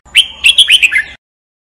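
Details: Single red-whiskered bulbul phrase for singing training: a rising whistle followed by five rapid bright warbled notes that step slightly downward, lasting about one second, clean with no other noise.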